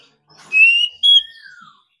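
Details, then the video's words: Oriental magpie-robin singing in competition, a wild-caught bird stirred to sing hard: two loud clear whistles, a long level one then a short high note, followed by a softer descending whistled slur. "Choè than hót đấu déo bổi.kích bổi hót căng.đấu cả ngày.nghe là hót"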